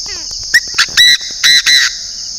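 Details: Decoy Chinese francolin from northern Vietnam calls a ringing five-note phrase: short notes build into three drawn-out, strident syllables. A few falling chirps come first, and a constant shrill buzzing drone runs throughout.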